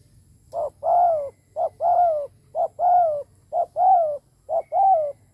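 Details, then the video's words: Spotted dove kept as a decoy, cooing to draw in others. Low two-part phrases, each a brief clipped note then a longer sliding coo. Five phrases come about once per second, steady and clear. "Cu mồi đất gù kích bổi cực mạnh / Tiếng chim cu gáy kích bổi hiệu quả / cu gáy gù /Chim cu mồi gù"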